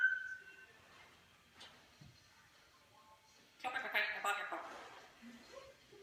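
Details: A pet African grey parrot sings the Ramones' "Pet Sematary" in a voice-like warble, accompanied by an Amazon parrot: a short opening phrase, then a louder burst of garbled sung syllables in a quiet room.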